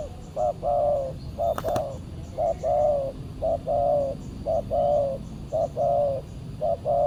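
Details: Spotted dove, known locally as tekukur, calling back at a decoy while being lured on a Saturday: steady series of paired coos, short note then longer mellow note, repeated about once a second; brief sharp click midway over low background hum.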